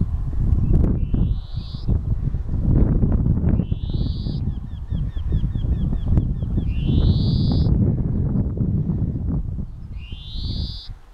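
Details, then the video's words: A European greenfinch (Carduelis chloris) singing gives four drawn-out, nasal rising wheezes a few seconds apart, with faint twittering between, over a steady low rumble of wind or distant traffic. "Голоса птиц: Зеленушка Carduelis chloris | Greenfinch singing"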